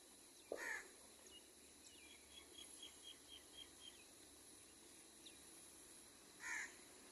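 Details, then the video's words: Wild crow where a baby crow is fed and angry calls are heard: a harsh caw at the start and another about six seconds later, with a faint series of soft ticks between them. "ティリストカラス赤ちゃんカラスの餌と鳴き声 カラスの怒りの鳥と動物の鳴き声"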